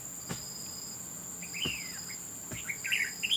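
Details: Red-whiskered bulbul at a trap during a fight, a falling slurred note followed by a cluster of quick bright chirps, with sharp clicking knocks and a continuous insect whine behind.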